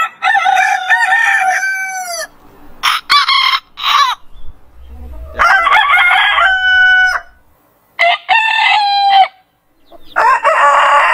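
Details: Morning rooster crows anticipating sunrise: several loud, harmonic crows and shorter bursts follow one another, each bright and sustained and ending with a downward slide, with short quiet gaps between them.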